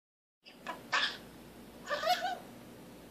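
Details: A pet male common starling practises a newly learned spoken phrase, "big kisses for the bird", which he repeats all day: a brief note, then two raspy voiced bursts about a second apart, ending in a faintly wavering tone.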